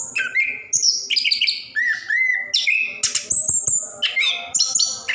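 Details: Orange-headed thrush (anis kembang or plontang) in a long continuous rolling song, used to coax lazy caged birds into singing; rich varied phrases of whistles and slurred notes jumping between low and very high pitch, with no pauses.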